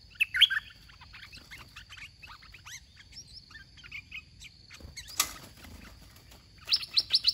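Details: Red-whiskered bulbul used as a caged decoy in a trapping contest, giving scattered warbled chirps and short twittering notes, a sharp clattering noise midway, then a fast run of loud chirps to finish, with a constant high background hum.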